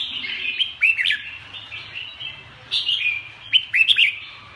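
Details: Red-whiskered bulbul giving crisp, down-slurred whistled notes in short groups, separated by quieter twittering, with a faint low hum underneath.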